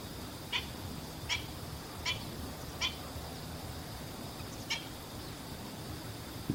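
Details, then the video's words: Black-winged stilt calling while searching for and eating food, filmed 12 September 2015 with a Canon PowerShot SX60 HS and external microphone; five short, sharp yelping notes at uneven intervals of roughly a second, over steady low background rumble. "セイタカシギ"Black-winged Stilt"の鳴き声"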